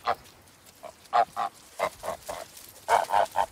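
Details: Farm goose giving short, nasal honks in irregular clusters, some single and some doubled, against a quiet background.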